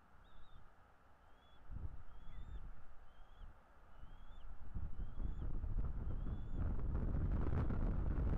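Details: Bald eagle calling at a nest in northeast Florida, recorded by a nest camera on 9 February 2022: a series of thin, high whistled chirps, each briefly rising then falling, about a dozen in quick succession over steady low wind and rumbling background noise.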